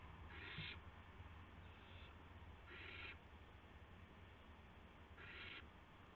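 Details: Owl arriving with a gopher for another owl at 8:00 PM on March 18, 2016; rasping breathy screeches, three louder and one fainter, each brief, over constant low rumbling background noise.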